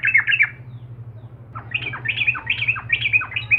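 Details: Trucukan or sooty-headed bulbul, a lively singer meant to anger rival birds both caged and wild, gives a brief pair of chirpy phrases, a silence, then rapid repeated squeaky whistled notes over a constant low-pitched hum.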